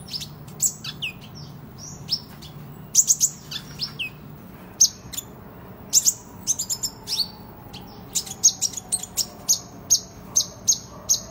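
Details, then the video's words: Van Hasselt's sunbird in full competitive voice, meant for training other birds: irregular sharp high chips, closing with a steady series of evenly spaced piercing notes about twice a second. "Kolibri Ninja Gacor Ngadu"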